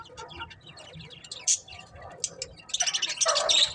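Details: Colourful budgerigars chirping: soft scratchy chatter at first, then from the third second a dense burst of high, rasping warbles and squeaky notes overlapping one another, with a faint low hum underneath.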